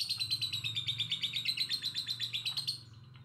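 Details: Lovebird giving a fast run of sharp, high chirps, about six per second, held for nearly three seconds before stopping abruptly.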